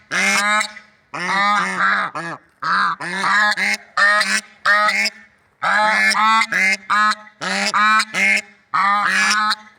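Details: Swans in nature giving loud nasal honks with rich stacked harmonics, in quick bursts of two to four notes separated by short pauses, repeated through the recording, with no other clear sounds.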